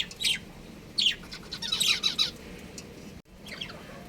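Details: Budgerigars, a breeding pair kept as pets, chirping in rapid scratchy warbled bursts, a dense run of chatter in the middle, then softer trailing chirps after a brief dropout.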